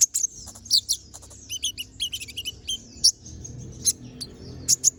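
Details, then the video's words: Brown-throated sunbird singing energetically, recorded as a master track for teaching other birds: a quick string of piercing high chips, short descending slurs and thin trills, fast and uneven. "Pancingan Suara Burung Konin Gacor Ngobra Tembakan Tajam"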